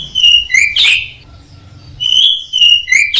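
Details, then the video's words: Caged orange-headed thrush (anis merah) training song: clear high whistled notes, a short rough burst, a pause, then more sharp whistles, with faint low background hum. "suara burung anis merah | gacor | masteran"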